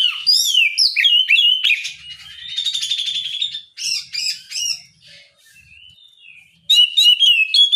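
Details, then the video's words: Oriental magpie-robin singing in the open, clear ngeplong style in the morning to provoke rivals into answering; loud, varied whistled phrases mixed with buzzy and twittering notes, a brief quiet pause near the end, then a fresh burst. "Kicau suara burung Kacer ngeplong memancing lawan di pagi hari"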